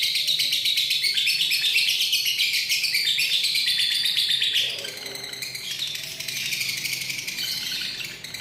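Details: Lovebird in ngekek singing style, recorded 31 January 2019: a long unbroken torrent of rapid, shrill chattering chirps, about four per second, sustained throughout with a slight dip in loudness midway.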